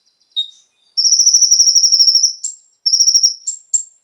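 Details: Konin song used to stimulate captive birds: a single high note, then a long pulsing whistled trill of over a second, a brief repeat, and sharp higher upslurred notes.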